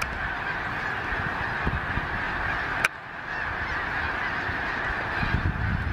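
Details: Snow geese in an enormous flock taking off at once, apparently startled, circling Gordon's Pond, Cape Henlopen State Park, Delaware, end of December; unbroken wall of high, yelping honks from countless birds, with a brief sharp click midway.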